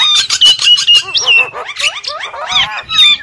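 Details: Lure call of the Javan myna, packed with rapid overlapping whistles, slurred notes and harsh chatter, one clear upswept then falling whistle standing out early on.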